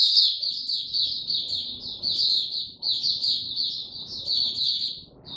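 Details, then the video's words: White-eye without health supplements singing on 29 April 2022: continuous high, sweet twittering with tiny chirped phrases, over a steady low background hum. "Mata Puteh Hercules buka sing"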